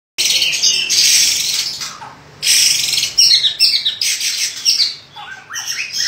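White-rumped shama giving harsh, rasping high bursts, then a run of short clear notes that slide downward near the end.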